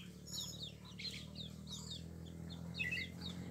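A pale-breasted thrush sings soft, quick, high chirping and warbled notes in a loose, varied string, over a steady low hum.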